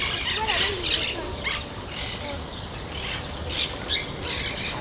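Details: Captive Chilean flamingos resting in the Jardin des Plantes menagerie, Paris, give harsh, nasal squawks and low honking gabble in quick irregular bursts, with faint background voices; Chilean flamingo.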